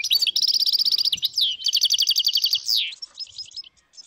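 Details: A wild flock of dozens of European goldfinches in northern Morocco, 2022, gives a fast, bright, liquid twitter: quick repeated chirps mixed with buzzy slurred high notes, without pause for about three seconds.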